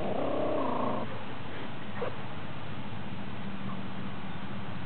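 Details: A hen purring during a dustbath: a steady, vibrating purr for the first second, then quieter low rumbling with a faint short note.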